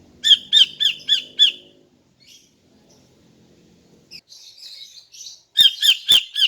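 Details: A female greater green leafbird calls at morning to lure males. Five ringing chips open the clip, then quiet buzzy notes and a faint low drone, and a final fast burst of four sharp chips.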